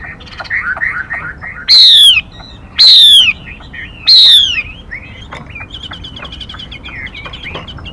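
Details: Female Mi bird decoy call for luring and stimulating males: soft chirps, then three loud, clipped, sliding downward whistles about a second apart, followed by a rapid stream of faint chirping.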